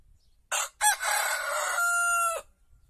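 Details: White rooster crowing before dawn in an Andalusian village surrounded by olive groves: one loud crow with two short opening notes, then a long, rough, sustained cry ending in a steady held tone.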